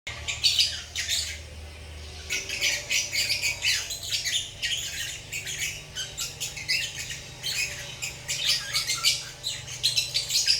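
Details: Pet lovebirds chirping in a relaxed mood: dense bursts of shrill, squawky chirps in rapid clusters, several birds overlapping, with brief pauses between flurries and a faint low hum underneath.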